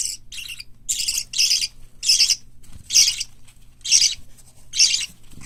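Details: Young pet parakeets (white lovebird, cockatiel, budgerigar chicks) being raised for hand-taming give rasping, breathy squeals, each burst short and bright, spaced about once a second with quiet gaps between.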